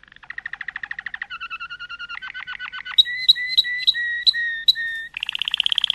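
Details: Malinois canary song moving through several rolled trills at different pitches, then a series of clear whistled notes repeated about three per second, ending in a bright high trill.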